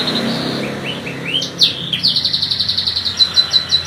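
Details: Canary sings a few soft upslurred whistles, then bursts into a sharp, rapid trill of bright high notes repeated several times a second.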